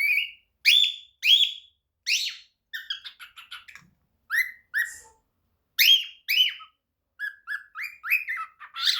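A young cockatiel practising song with bright rising whistles, warbled chirps and short buzzy notes.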